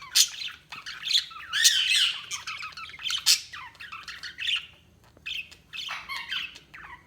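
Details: Budgies giving rapid, scratchy chirps and loud squawky bursts, with a short lull before the chattering picks up again.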